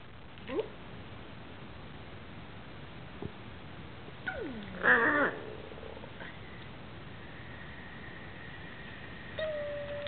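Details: Pet Hyacinth macaw playing on a couch indoors at night, giving short quiet harsh calls with bent, rising and falling notes, a raspy burst near the middle, and a steady thin whistled tone near the end.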